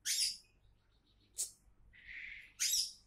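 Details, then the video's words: Oriental magpie-robin, a champion-candidate bird, producing loud harsh hissing bursts with a softer buzzy rattle between them. Faint low hum in the background. "Kacer Calon Juara"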